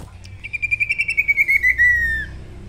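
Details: Male sirtu singing in lively form, used as a lure to provoke rival sirtu: a single buzzy, rapidly pulsed whistled trill held level, then sliding gently downward over about two seconds, with low background hum.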